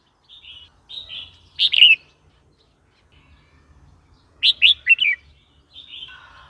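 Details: Red-whiskered bulbul, used to provoke new birds and old wild birds or to teach young ones: soft whistled notes leading into a loud warble, then a quick three-note chirpy phrase and trailing softer notes.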